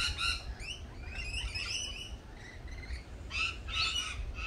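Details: Lorikeets giving high, harmonic screeching notes and short rising slurs in quick succession, with a loud low rumble of background noise beneath.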